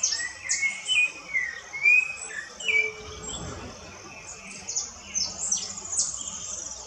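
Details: In woodland, a Rufous-bellied thrush opens with a few clear, fluty whistled phrases. Then it pauses while other small birds keep up sharp, high-pitched chirping and twittering in the background.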